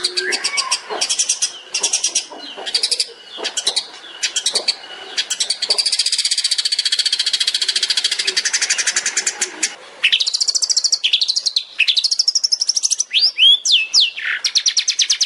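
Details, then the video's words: Long-tailed shrike song in the 'tembakan' style, kept as a master for songbird training: long, dense, high buzzy chattering trills, ending in rising, arched whistled notes. "CENDET SPESIALIS TEMBAKAN"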